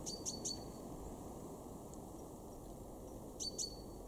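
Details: Great tit (Parus major) calling in a garden in Weener, East Frisia, northwest Germany, in January 2023. It gives a quick run of three sharp, high chips, then a pair of similar notes three seconds later, over low outdoor rumble and faint hum.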